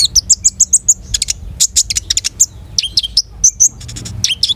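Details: Energetic long-tailed shrike song packed with quick, high, clipped chirps and short buzzy notes in fast irregular bursts, some evenly spaced in runs of five or six, with brief pauses between flurries and a low steady hum beneath.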